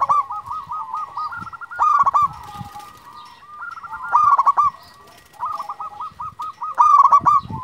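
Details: Local zebra dove, an active champion caller, sings strings of short curled coos. Three loud rhythmic bursts are separated by softer murmuring notes.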